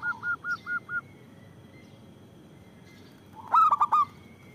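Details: Local zebra dove, kept to lure and provoke other doves to sing. Five soft, even notes open the clip, then a pause and a loud burst of sharp notes.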